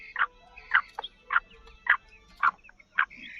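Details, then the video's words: Female black francolin calling to attract and excite males: a run of six harsh, clipped notes repeated about every half second, with faint clicks between them. "کالی مادی کی ایسی خوبصورت آواز جسے سن کر آپ کا تیتر ہوجاۓ فل مست"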